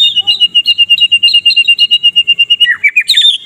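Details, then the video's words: Murai batu medan (white-rumped shama) from Medan singing a dense morning kretekan, a fast chattering trill repeated about three times a second on one high pitch, then sliding down and breaking into sharp high notes; suited as a training model for other birds. "KRETEKAN MURAI MEDAN MENJERIT NEMBAK RAPAT COCOK UNTUK MASTERAN DI PAGI HARAI"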